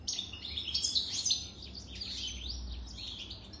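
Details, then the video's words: European goldfinch, aged more than three years, in continuous song: dense, high tinkling twitters and rapid slurred notes, loudest in the first second and a half, then a steadier chattering flow. "تغريد طائر الحسون"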